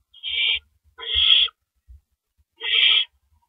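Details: As a male owl brings a rabbit to the nest after 1 AM on April 6, 2012, three grating, hiss-like screeches ring out, each lasting about half a second, with soft thuds between them.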